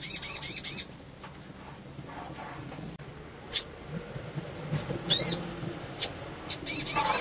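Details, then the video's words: A female sunbird in breeding condition calls to stimulate males. Short bursts of rapid, high, looping trills open and close the recording, with scattered sharp chips and thin whistles between them. "PANGGILAN SOGON BETINA BIRAHI MERANGSANG SOGON JANTAN CEPAT BUNYI"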